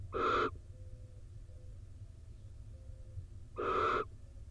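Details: Rain-soaked male barn owl returning to the nest box in Israel where the female incubates. Two loud, rough hissing screeches about three seconds apart, separated by near quiet and faint tones over low background hum.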